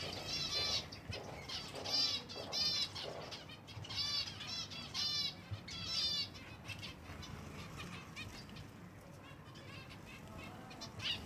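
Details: Several silver Java sparrows chirp at feeding time: bright, metallic notes in clustered bursts every second or so for the first half, then sparser, softer chirps, with faint fluttering and low background hum.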